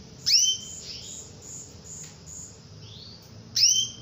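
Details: Female canary calling to provoke a male to sing: two strong, sharp rising calls about three seconds apart, with gentler rising whistles between them. A repetitive faint high pulsing runs underneath.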